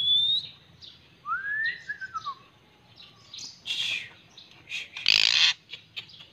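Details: White-rumped shama song with a high whistle and a swooping, descending slurred phrase, followed by buzzy chattering notes and one loud harsh burst.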